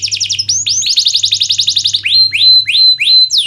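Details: Canary song as a tutor for lazy canaries: a fast rolling trill followed by slower sweeping whistles with a held high note, faint low hum beneath.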